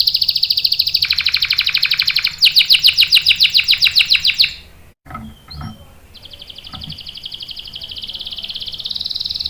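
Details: Canary singing long rolls, used to provoke other canaries and teach young ones: dense high buzzy trill, a louder fast pulsed roll, a brief pause with faint soft notes, then a long even high trill.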